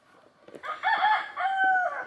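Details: Rooster sitting in a fenced backyard mini-farm chicken area among apple, plum, grape and blueberry plants crows in two harmonic-rich bursts, the second a long, level, drawn-out note; other chickens audible nearby.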